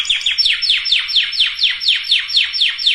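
A canary sings a fast trill of bright, down-slurred whistles, about four or five each second, steady and high-pitched, with nothing else heard.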